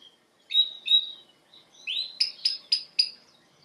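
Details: Canary as a training bird, giving two bright whistled notes, then a rising phrase and four sharp clicking notes repeated at an even pace.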